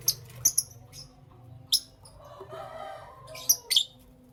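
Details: Lovebird in the morning giving a few sharp, shrill high chirps, spaced by pauses, with a quiet low hum and a faint murmur in the middle.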